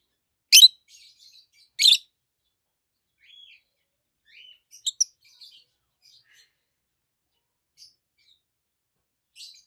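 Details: Pair of adult peach-faced lovebirds, green with red and whitish faces, chirping: two sharp, loud, high chirps about a second apart, followed by scattered soft squeaks and clicks with long quiet gaps.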